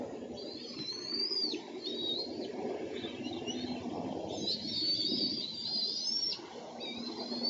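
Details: High, thin, squeaky whistles from bald eagles at the nest on June 1, 2014, amid a steal, mantling and a tug of war, given in short slurred bursts over steady low background noise.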